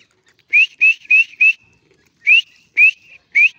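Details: Grey francolin calling: loud, clear whistled notes that rise sharply, four in a quick run and then three more spaced about half a second apart, each followed by a faint trailing tone, with a silent background.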